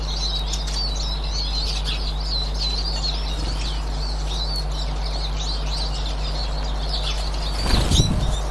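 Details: Eurasian siskin, 18 March 2024, giving rapid, wavering high twitters and trills almost nonstop, ending with a brief burst of low handling noise over the background hum.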